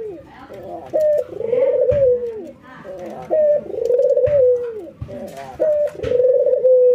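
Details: Ringneck doves in routine training, a white albino versus a local bird, nodding and laughing: three calls, each a short note then a rapid rolling chuckle ending in a sustained falling coo, about every two and a half seconds.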